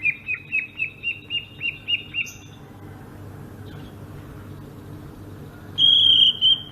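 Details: Sumatran greater green leafbird delivering ngerol song: about eight rhythmic, downward-flicking notes repeated quickly, a soft pause, then a loud sustained pure whistle over a low hum.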